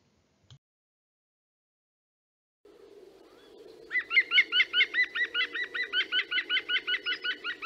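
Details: European green woodpecker, a rare ground woodpecker, possibly a female, gives its loud, falling laughing call rendered "glück, glück, glück": a ringing series of about five notes a second over a low steady hum.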